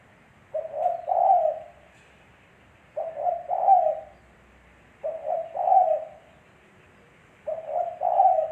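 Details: A spotted dove coos steadily, giving four phrases roughly every two and a half seconds. Each is a stammered pair of low hoots followed by a longer, husky, even coo.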